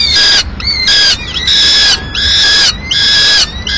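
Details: Peregrine falcon female bringing pigeon remains to the nest in Madrid at mid-morning; loud, pure, slightly down-slurred whining notes repeat in a regular rhythm, about every three quarters of a second.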